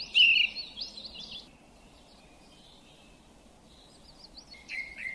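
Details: Singing bird gives a burst of loud, varied high twittering warbles at the start, then a quiet gap with faint distant notes, ending with more warbled phrases; steady background hiss.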